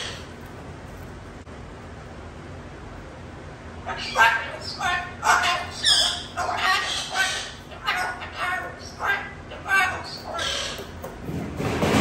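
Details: Moluccan cockatoo (Cacatua moluccensis), yelling: scolding another parrot that is bothering her cage.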